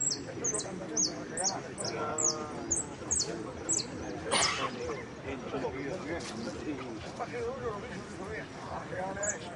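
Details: Jilguero singing in the Blanco de Repique category of the Copa Federación singing competition: sharp, high, clipped notes repeated in a quick run for about three seconds, with people talking loudly throughout.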